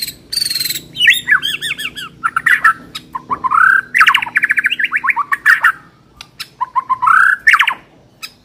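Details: White-rumped shama song used as a training lure for a contest-ready bird: loud, varied phrases of rich whistles, rapid chattering notes and sweeping slurred figures, broken by short pauses, in a quiet setting.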